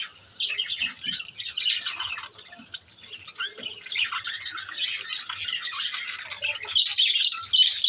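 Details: Lovebirds kept as pets give a continuous stream of rapid, shrill chirps and squawks, roughly three per second, the chatter swelling louder toward the end.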